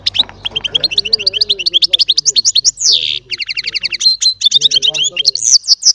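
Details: Young baster hybrid singing goldfinch-style song as a steady rhythmic stream of high chirping notes with one buzzy burst midway, over a soft low warble.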